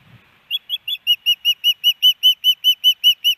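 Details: Female osprey calling for her mate at the nest in Hellgate Canyon, Missoula, Montana, on May 18, 2019, caught by a nest camera. About fifteen piercing whistled notes repeat rapidly and evenly, growing louder after the first few.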